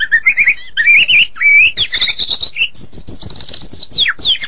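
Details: White-rumped shama, Medan type, in energetic song: rapid warbled phrases of rising whistles, a run of high sustained notes, then a steep falling slur and a final rising whistle.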